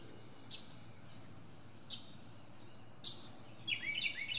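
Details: A northern mockingbird on a pine treetop gives a few sharp, high clicks and buzzy notes spaced about half a second apart. It ends in a quick burst of chattering, down-sliding phrases.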